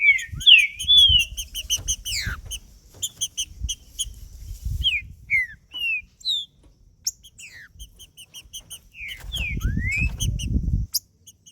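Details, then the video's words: Green-winged saltator giving 'macheando' song to warm up another male. Whistled slurs come in bursts, mostly falling with some rising, over repeated faint high ticks. Deep rumbling noise appears at the start and again toward the end. "Trinca ferro Macheando com Trinca ferro cantando Para Esquentar Trinca ferro"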